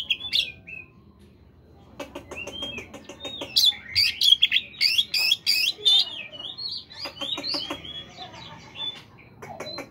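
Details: Morning singing of a caged Oriental magpie-robin, played to get other caged birds singing: varied whistles and dense harsh chattering bursts, rapidly repeated, with quieter sliding notes between.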